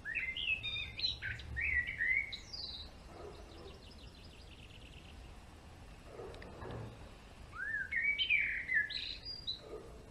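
A male European greenfinch sings bursts of bright twittering notes and quick trills, with pauses between phrases and a faint low rumble beneath.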